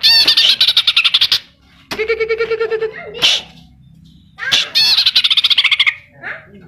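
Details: Greater green leafbird singing a mimicry-rich song with kapas tembak and cililin phrases: rapid high chatter, a buzzy low trill, then a harsh note and another quick chirping burst.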